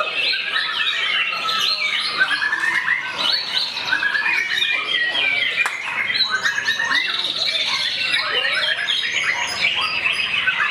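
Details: White-rumped shama in aggressive singing aimed at a rival: continuous, fast and varied song of sharp whistles, trills and harsh chatter notes packed together for the whole stretch, with other birds audible in the background.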